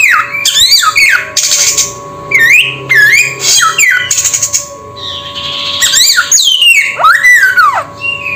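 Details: Samyong bird mixing rough, noisy bursts with rising and falling whistled notes, ending in a loud arched whistle that climbs and drops, with a constant low hum behind.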